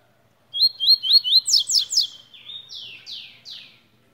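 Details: {'caption': 'Tui singing four upslurred whistles, then three rapid buzzy downward trills. After a short whistle it ends with three long falling sweeps.'}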